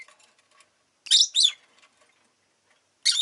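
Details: Rosy-faced lovebird kept as a pet, giving two loud shrill chirps close together after faint twittering, then a long quiet gap before another harsh chirp at the end.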